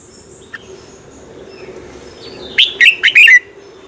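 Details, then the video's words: Red-whiskered bulbul morning competition song, used to stimulate birds to sing: a quiet start with faint high whistles and a low hum, then a loud quick phrase of four rich warbled notes near the end. "Luyện chào mào hót sáng Giọng chuẩn hay Để ép bổi căng hót, chào mào hót đấu"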